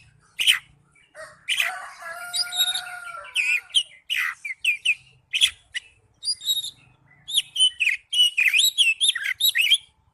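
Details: Oriental magpie-robin (kacer) in ngipas song, with scattered sharp chirps, a couple of drawn-out steady tones, then an accelerating run of bright whistled and twittering notes.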